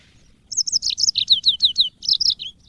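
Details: Cage-bird training recording of a yellow-fronted canary: a quick run of about a dozen high, sharply downslurred whistled notes, bright and evenly spaced, over a quiet background.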